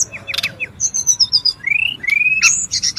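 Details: Brown-chested jungle flycatcher calling noisily in the wild, recorded as a lure and tutor sound: high whistled phrases, some rising and sliding, some falling, with a low drawn-out whistle beneath and short chirpy bursts.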